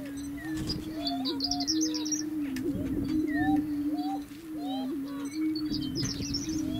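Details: Greater Prairie-Chickens booming on a lek in grasslands near McCook, Nebraska: a steady, hollow, low moan from several overlapping birds, with Horned Larks and Western Meadowlarks calling above and camera shutter clicks.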